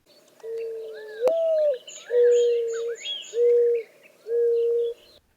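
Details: Mourning Dove cooing softly in an Arizona desert backyard in spring: a first note that rises then slides down, then three steady, low, mournful hoots, with small birds chirping faintly behind.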